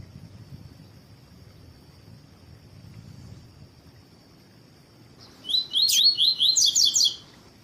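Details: Double-collared seedeater female calling to excite a captive male, a quick run of about eight high, buzzy descending notes in under two seconds after a quiet stretch with a steady high hum.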